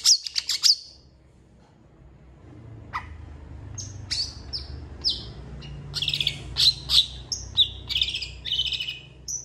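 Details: Long-tailed shrike in full, active song of the kind used as tutor recordings for champion birds, said to imitate cats and chickens: a quick burst of sharp high chirps, a pause, then scattered sharp notes building into dense bursts of varied twittering.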